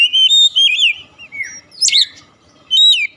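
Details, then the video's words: Oriental magpie-robin song used as a lure to get a silent bird singing: loud, clear whistled phrases with sliding and swooping notes, a sharp buzzy burst midway, then a bright rising whistle after a pause. "memancing ncept Kacer macet bunyi langsung gacor"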